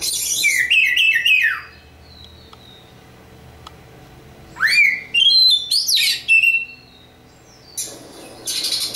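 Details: Local East Java Oriental magpie-robin singing loud, clear whistled phrases with rising and falling slurs, separated by quiet gaps, ending in a harsh rasping burst.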